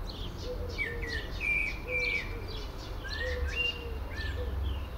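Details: Singing blackbird perched in a favourite Lawson cypress, one bird singing and another listening; a run of warbled whistles with rising and falling slides, mixed with high twitters and a low steady tone repeated beneath.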